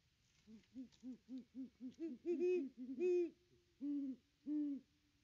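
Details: Great Horned Owl on a nest camera at the nest tree, 25 December 2021: a rapid string of about ten short, lower hoots rising into louder, longer hoots, ending with two well-spaced deep hoots.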